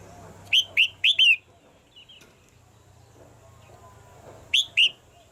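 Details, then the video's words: Caged female red-whiskered bulbul calling to push the male into singing harder: three quick bright whistled notes, each sliding downward, then a pause and two more similar notes near the end. "นกหัวจุก birds - เสียงนกตัวเมียในกรง กระตุ้นให้นกตัวผู้ร้องหนักขึ้น"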